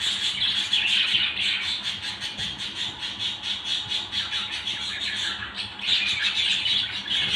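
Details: A family of budgerigars chattering together: dense, continuous warbling and scratchy chirps overlapping without pause, with a brief lull near the end before the busy twittering resumes.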